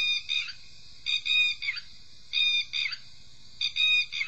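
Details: Red-wattled Lapwing, played as a recording from a toy's packaging, giving loud, shrill, strident alarm notes in bursts of three or four, about every 1.2 seconds, with a faint low hum beneath.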